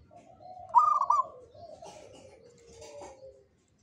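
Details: Local zebra dove of the jogoboyo song style: a short burst of trilled, quavering cooing notes, then softer, lower drawn-out tones fading out, with faint rustling.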